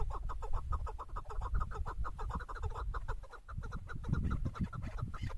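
A female chukar gives a fast, steady series of clucking chuck notes, about five a second, over a heavy low rumble of wind or handling noise.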